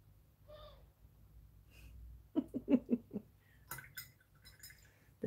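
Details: About 40 to 50 doves sit in a garden in front of a studio window, waiting to be fed; they give a quick run of five low, hollow coos in about a second, with clattering knocks and faint indoor sounds.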